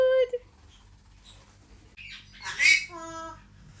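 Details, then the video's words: A red eclectus parrot, being greeted with "good morning", gives short harmonic, speech-like calls, opening with a clear nasal note, then a raspy burst and a buzzy harmonic phrase near the end. "greeting good morning"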